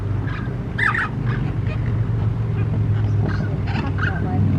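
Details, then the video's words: Rescued lesser flamingo chicks washing their faces at a bird rehabilitation centre, a month after being abandoned in a drought: scattered nasal honking calls over a heavy low rumble. "Flamingo chicks make the cutest noises when washing their faces!"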